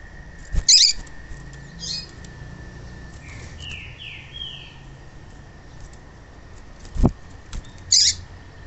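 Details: Rusty-collared seedeater female calling to stir males to sing: harsh high chirps at the start and end, a sweeping series of downslurred whistles in between, low thumps and a steady hum.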